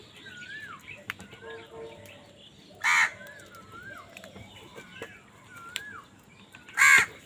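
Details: Crow fighting other birds over food: two raucous caws several seconds apart, with repeated wavering whistles and sharp clicks from other birds throughout.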